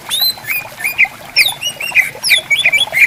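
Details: Greater green leafbirds calling back and forth in riverside bamboo forest: a rich, varied run of whistled sweeps, high rising and falling glides and clipped chirps, tumbling almost without pause, with a soft background of trickling water.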